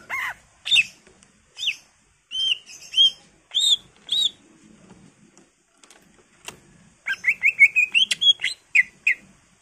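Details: Greater green leafbird in an energetic, filler-rich song used to prompt other birds to sing: separate looping whistles with pauses between them, then a fast rattling sequence of repeated whistled notes.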